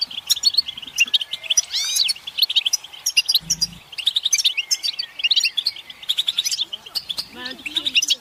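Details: European goldfinch song played to stimulate singing in males, a dense chorus of several birds: fast twittering, tinkling notes and buzzy trills packed closely together, with rising and falling slurred whistles throughout and a brief low thump partway through.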